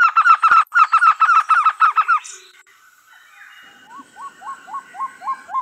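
A trogon gives a quick run of about a dozen hollow, even notes, then a fainter series of short upslurred notes, roughly three each second.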